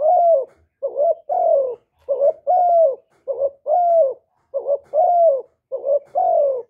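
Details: Spotted dove cooing to lure and excite other birds: a steady rhythm of paired notes, a short quavering rise followed by a longer drawn-out falling coo, repeated about six times.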